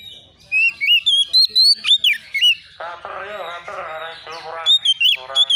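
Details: Agitated young Oriental magpie-robin seeking an opponent, starting with bright looping whistles, then switching to harsh, buzzy, raspy notes before returning to clear whistles.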